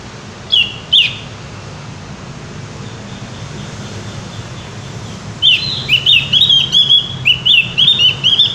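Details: Javan white-eye singing vigorously and loudly: a couple of isolated high chirps, a pause, then a fast, continuous string of sweet descending whistled notes repeated over the last three seconds, with low hum beneath.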